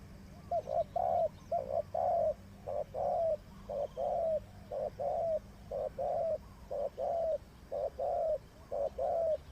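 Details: Spotted dove kept as a decoy bird for trapping, giving steady low cooing: a short note followed by a longer, slightly falling coo, repeated about once a second in pairs, with a faint low hum behind.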